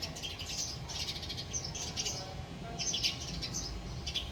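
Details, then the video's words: Chirping male house sparrow: short, high, buzzy chirps delivered in quick groups with brief pauses, set against steady low rumbling background noise. "Male Sparrow Call, Male Sparrow Chirping Sound"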